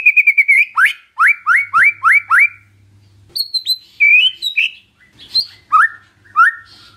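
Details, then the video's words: Lure song of a white-rumped shama, meant to provoke a quiet bird into replying: a quick series of upswept whistled notes repeated about five times, followed by varied warbled and chattering phrases. "PANCINGAN SANTAI & EFEKTIF❗❗ murai DIAM langsung respon NYAUT❗❗"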